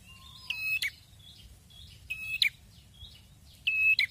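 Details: A red-headed prinia (prenjak kepala merah) repeats a short phrase about every 1.6 seconds: a steady high whistled note ending in a sharp, buzzy snap, over a faint low hum.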